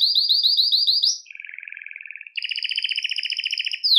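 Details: Belgian canary song meant to draw canaries in: a quick series of rising notes, a softer low rattling roll, then a loud buzzy double-toned trill, with no background noise.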